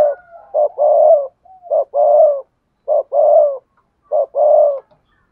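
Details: Spotted dove used as a lure bird to attract other doves, cooing in the double-voiced style called hai hậu: short low coos each followed by a longer drawn-out coo, four phrases at a steady rhythm in a quiet setting.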